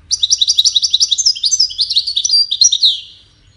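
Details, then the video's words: Goldfinch in melodious song, part of its courtship and communication: rapid bright twittering notes tumbling one after another for nearly three seconds, mixing liquid chirps with short buzzy phrases before fading out. "Witness the Majestic Goldfinch Singing"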